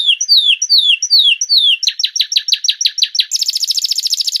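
Canary song: a run of slurred, falling whistles, then quick buzzy repeated notes, ending in a fast high trill. No other sounds.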